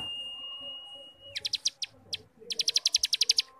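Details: Cigun ngebrem song meant to train young birds: a long, steady whistled tone, then scattered sharp high pulses that quicken into a fast, ringing buzzy trill.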